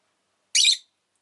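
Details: Pet rosy-faced lovebird producing a single loud, grating chirp, brief and buzzy, in an otherwise quiet room.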